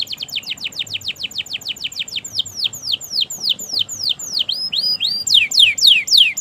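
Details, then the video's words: Canary singing at length to encourage non-singing and young canaries: a fast, regular series of downward-curving whistles that gradually widen and grow louder, about three per second. "Masteran suara Burung Kenari Gacor Panjang Auto Nyaut Kenari Macet dan Paud"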